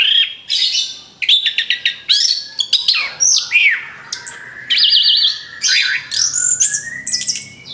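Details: Orange-headed thrush song played as a lure for other birds: a dense, fast run of varied high whistles, slurred up-and-down notes, rapid trills and sharp chirps in short bursts with brief pauses between them.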